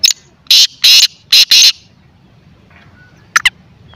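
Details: White or black francolin calling: four loud, rasping, abrupt notes in quick pairs, then a pause and two short, sharp, high notes near the end, with quiet rural background noise.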